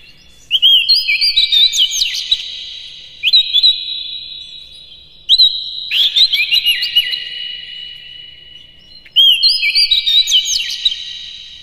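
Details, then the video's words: Lure recording of white-rumped shama song meant to stir up other birds: rich whistled phrases with sliding notes and rapid trills, delivered in three long bursts with brief gaps. "KACER NGEPLAY GACOR NEMBAK-NEMBAK ISIAN, PANCINGAN AMPUH NAIKAN EMOSI KACER"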